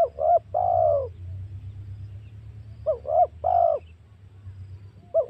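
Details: Lure calling of a spotted dove meant to draw in wild doves for hunting. A short coo pair and a longer drawn-out coo repeat in phrases about three seconds apart over a faint low hum.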